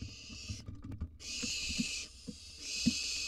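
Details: Wild barn owl chicks in a monitored nest box while being fed a gerbil and a mouse: long breathy hissing screeches alternate with knocks and shuffling of the young birds.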